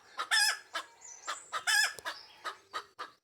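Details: Egg laying song of a Pekin Bantam hen, loud drawn-out squawks alternating with short sharp clucks, with a thin high whistle-like tone in the background.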